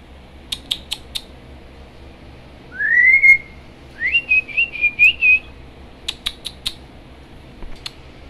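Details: Parrot talking with its owners: a rising whistle, then a run of quick bouncing whistled notes, with crisp clicks before and after.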